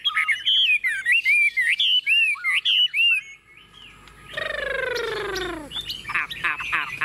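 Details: Confident song from a tame Chinese hwamei placed on a table: quick runs of clear, varied whistled phrases, a brief pause, then a long falling rich note with harmonics and closing sharp chips.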